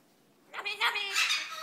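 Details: A female Severe macaw about 15 years old talks in a bright, nasal, human-like voice, saying phrases like "you like cookie": a few quick rising and falling syllables over about a second, after a quiet start.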